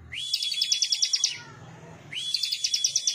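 Bar-winged Prinia song: two bright, high bursts of rapid, evenly spaced chipping notes, each about a second long, separated by a short pause.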